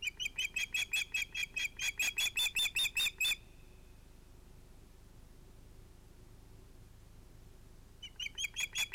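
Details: Osprey at a nest with two ringed chicks, evening fish delivery to the female at sunset, 11 August 2018; a rapid series of shrill, chirping whistled calls for about three seconds, a silent pause, then the chirping resumes near the end.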